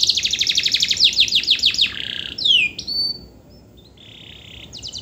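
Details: Canary singing, used as a lure to get lazy canaries to sing: a very rapid, high trill of repeated notes, then a series of falling slurred notes and a few clear, long whistled tones near the end.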